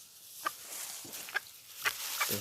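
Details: A wild Green Junglefowl hen, incubating five eggs in forest an hour's walk from a village, gives four short, sharp clucks spaced about half a second apart against a faint hiss.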